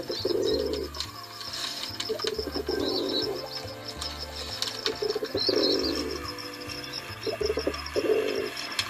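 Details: Pigeons cooing in low, soft, hollow rolling phrases, each about a second long, coming every two seconds or so over a steady synthetic musical drone and faint high chirps.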